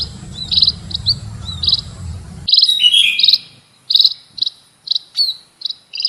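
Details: Munia uttering high chirps and short slurred notes; the low background hum stops partway, leaving the bright, sharp notes clearer against silence.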